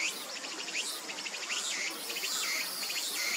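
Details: A little grebe chick chases its parent while calling to beg for food, giving rapid, thin, high peeps and short dipping whistles, repeated about once a second over a steady insect-like hiss.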